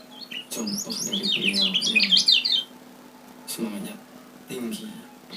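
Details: Lemon-bellied white-eye from Lombok, used as a lure to attract birds, giving a rapid burst of high, jumbled chirping notes for about two seconds, with a person's voice talking low underneath and short speech later.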